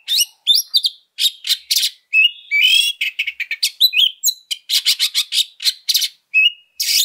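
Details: Oriental magpie-robin in fighting mood, used as a lure: sharp whistled upslurs, scratchy buzzes and quick clusters of harsh notes in steady, energetic phrases with short gaps.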